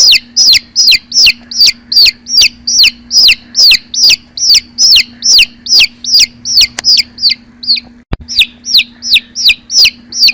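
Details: Baby chicks peeping loudly: sharp high descending chirps repeated about two or three times a second in a steady run, with a brief gap and a click, over a faint low hum.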